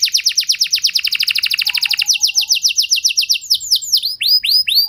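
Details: Canary singing, used to prompt other canaries to sing: a rapid trill of descending whistled notes, then slower, richer rolling phrases of swooping high notes, loud and clear with no other sounds.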